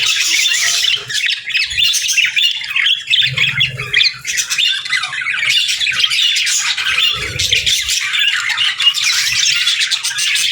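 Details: Pairs of budgerigars chattering back and forth, a steady run of squawky warbles, clicks and sharp chirps, with two short low hums around four and seven seconds.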